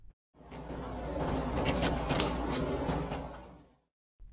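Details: A steady broadband rushing noise, like a sliding door or passing vehicle, rises, holds for about three seconds and fades, with no animal voice.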